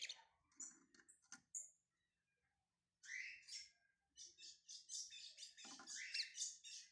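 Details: Lined Seedeater ('bigodinho pardo') warming up: scattered high chirps, a silent pause, then bursts of fast, scratchy, buzzy trilled phrases, with a faint low hum behind.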